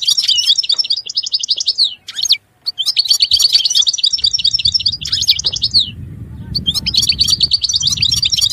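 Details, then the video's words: European goldfinch pouring out long, rapid, tinkling twitter phrases of high bright notes with brief breaks, some low rumble in the background. "Chant Chardonneret تغريد طائر الحسون"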